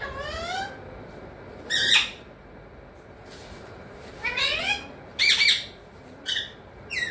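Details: A talking pet parrot, said to say mithu, mummy and papa: a short series of harmonic, sliding vocal bursts, some rising, others warbled, with quiet gaps between and a final brief chirp.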